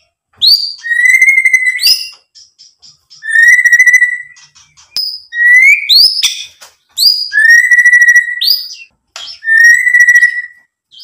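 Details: White-rumped shama song to excite other birds into answering: sharp high upswept notes each followed by a long steady whistle, about six phrases over eleven seconds with clicks between.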